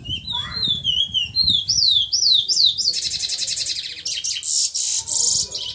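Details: Eurasian magpie song: several high whistled notes that swoop downward, followed by a long, fast, harsh chatter of crowded high notes; faint low background noise throughout.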